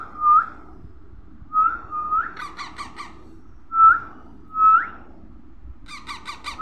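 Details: Baby parrot repeating short upward-bending whistled squeaks in pairs roughly every second and a half, with rapid harsh rasping chatter between them; quiet low hum underneath.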